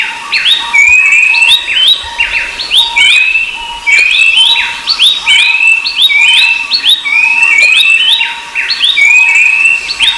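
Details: Rufous-browed babbler, Pellorneum capistratum, sharing the scene with Horsfield's babbler: a busy chorus of rising, clear whistles strung in rapid phrases, ongoing for ten seconds, with a faint steady low tone beneath.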